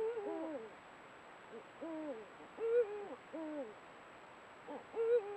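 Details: A sunset exchange between a pair of Eurasian eagle-owls, captured by a trail camera: about eight short, arched, nasal barking notes in irregular quick succession, some overlapping, with rising-then-falling pitch.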